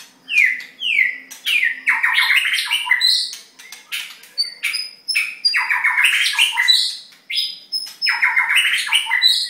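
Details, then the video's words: Three white-rumped shamas singing: short bursts of descending, harsh harmonic notes repeated in quick phrases roughly every second or two, punctuated by clear high whistled notes, in a quiet setting. "White rumped shama 3x singing"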